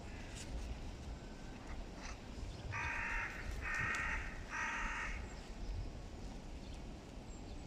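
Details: Hooded crows in a serious clan fight between two crow groups; three harsh, buzzy caws about half a second apart stand out over steady low rumbling background noise, with fainter calls earlier.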